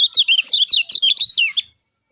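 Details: Lemon-bellied white-eye singing a quick burst of high, chirpy twittering notes that slide up and down, about ten notes in under two seconds, then silence.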